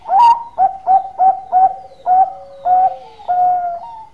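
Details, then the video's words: Loud, close zebra dove song: about eight short bright hooting notes at a steady mid pitch, spaced roughly half a second apart, the later ones stretched longer and paired with a lower second voice. "Raja Suara Mas Perkutut Gacor Super Ampuh Buat Pikat"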